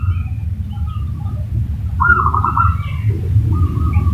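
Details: Zebra dove lure call meant to draw a quick answer from another bird: a fast, pulsed, mid-pitched trilling coo at about two seconds, a second shorter trill near the end, over steady low rumbling background noise.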